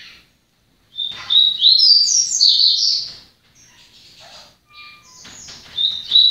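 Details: Papa-capim seedeater singing a rapid, warbled burst of high twittering notes for about two seconds, then quieter scattered chirps and a short bright closing phrase; little background noise.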